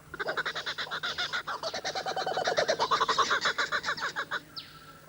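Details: Laughing kookaburras in Australia, a family defending its territory against an intruding stranger, give a loud chorus of rapid, chuckling hoots rising and tumbling into cackling laughter, several birds overlapping; the calling tells the intruder the territory is taken.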